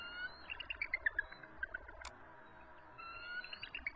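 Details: Two resident eagles calling from their nest during an evening territorial dispute with an adult intruder, March 23, 2014: a rapid, descending run of sharp chittering notes, then a drawn whistle, with one loud click midway.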